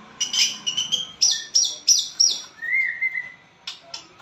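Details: White-rumped shama, blorok variety, in full continuous song as a lure for a silent shama: rich high notes, then a row of crisp repeated downslurred whistles, followed by a lower sustained whistle and scattered clicks.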